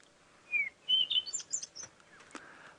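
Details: Cape Robin-Chat call played back from a phone: a short run of clear, sweet whistles, a falling note then rising, warbled phrases, against faint background hiss.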